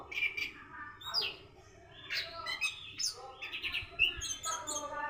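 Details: Orange-headed thrush in the morning, learning a 'rock and roll' song: a continuous jumble of quick chirps, short whistles and scratchy notes at high pitch over a low background hum.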